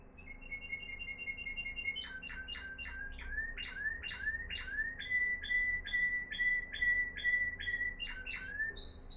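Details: Timbrado canary from Morocco, 2021, singing discontinuously: a soft rapid trill opens, followed by evenly repeated chopped two-part notes at a steady pace, ending on a higher note.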